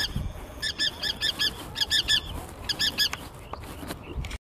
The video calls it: Forster's Tern calling